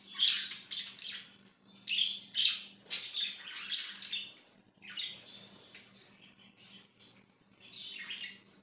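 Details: Budgerigar chirping, dated 5/10/2023: continuous busy warble of rapid, grating high chirps and squawky notes in uneven bursts, about two per second, with a soft electrical hum in the background.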